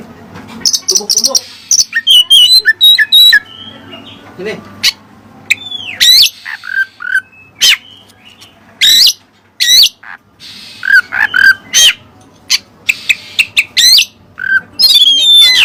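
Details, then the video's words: Oriental magpie-robin performing song filled with Cililin material: a long, varied medley of trilled whistles, sharp chips, harsh rasping notes and clear slurs in energetic bursts separated by brief silences. "Burung Kacer Isian Cililin"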